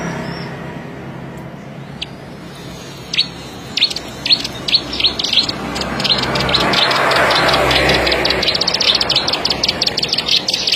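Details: Plain prinia singing: a few sharp scattered chirps, then from midway a fast run of high, evenly spaced ticking notes against a broad hiss.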